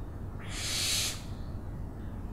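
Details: A single drawn-out hissing screech from an owl, lasting about seven tenths of a second, harsh and airy with a faint tonal edge, over quiet low background noise.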